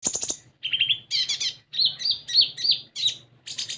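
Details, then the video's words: Common iora (konin) song used to prompt an untrained bird to start singing: bright high chirps and quick trilled phrases, some buzzy notes and short rising whistles, delivered in bursts with brief pauses. "Konin Bahan Dijamin Langsung Bunyi"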